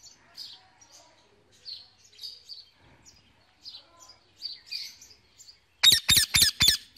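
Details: A pet male Indian ringneck parakeet chirps to his mates in the evening, giving a run of soft, uneven chirps and twitters before four loud, harsh screeches in a quick, even series.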